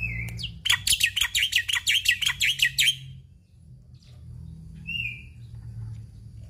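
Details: Black-winged myna delivering mimicry-filled chattering song: a brief whistle, then a burst of about ten fast, loud, scratchy notes in a row, pausing before one clear whistled slur, with low hum behind.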